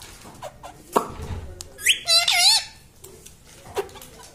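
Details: Indoor talking parrot: a sharp click, then a loud, nasal, warbling word-like phrase of about half a second with a dipping tone, surrounded by soft room sounds.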